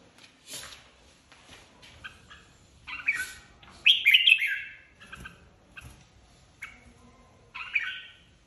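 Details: Red-whiskered bulbul, a flock leader in competitive singing, kept as a cage bird: bursts of bright warbled phrases around 2–4k, loudest near four seconds, separated by short pauses with faint chirps between.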